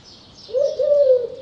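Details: Eurasian collared dove calling: one low, soft, mellow coo that rises slightly and then holds steady for nearly a second over a quiet background.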